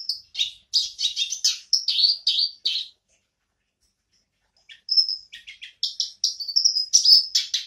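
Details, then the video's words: Black-browed reed warbler resuming its song: a fast burst of grating, chattering syllables, nearly two seconds of silence, then a clear high whistle and more choppy scratchy notes. "Kerak Basi (KerBas) Alis Item"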